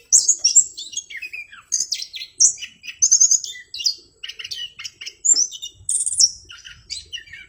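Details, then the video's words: Crisp, clear singing from an orange-headed thrush: quick sequences of high chirps, buzzy trills and downward-sliding whistles in short energetic bursts. "anis kembang gacor suara jernih"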